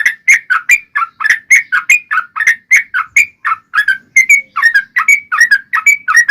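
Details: Yellow-vented bulbul singing a long, rapid fighting song meant to provoke other bulbuls into replying. Bubbly, liquid notes come in quick, rhythmic pairs and triplets, repeated steadily without pause.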